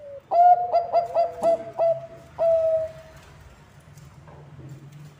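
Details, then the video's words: Song of a Bangkok-type zebra dove, played to lure others of its kind: a rapid burst of five or six ringing coo notes, a pause, then one long clear note, followed by quiet with a low hum. "Bunyi Perkutut Bangkok ASLI Ampuh untuk Pancingan semua perkutut"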